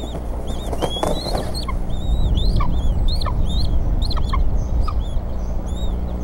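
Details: Bald eagles at the Decorah nest on a spring evening, 8 April 2014, while the mother feeds the small eaglets and the father makes two prey deliveries; high, whistled chirping notes repeat in quick, uneven bursts over a steady low hum.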